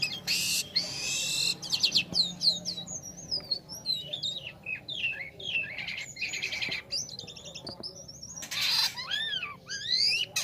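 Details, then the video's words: Black-winged starling in full, lively song, used as a lure to get songbirds singing: a rich medley of sharp rising and falling whistles, quick chirps and harsh broadband rasping bursts, delivered in an irregular, continuous stream. "Suara unik burung jalak kapas gacor"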